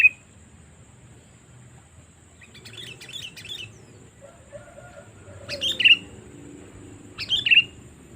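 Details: Call of the sooty-headed bulbul, used to attract wild birds: soft chirps, a faint lower whistle, then two loud, sharp, high notes about one and a half seconds apart.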